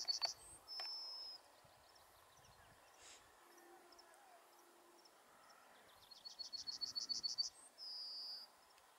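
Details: A yellowhammer on heathland near Uddel, Netherlands, in May 2013, sings a quick run of about a dozen high, dry repeated notes ending in one long drawn-out note, with faint calls from other birds around.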